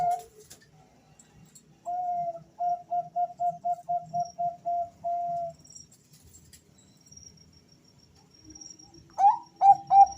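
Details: Bangkok-type male zebra doves answering one another, used to coax singing: a quick string of clipped, whistled notes finishing in a held note, then after a pause a second bird begins a louder rising burst of notes.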